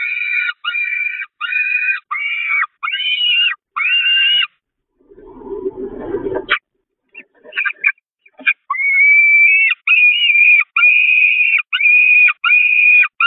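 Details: Starving peregrine falcon nestlings at a church nest in May 2021 mob their mother, who flees: repeated harsh, shrill wailing screams in rapid series, a brief rustle midway, then more sustained piercing cries.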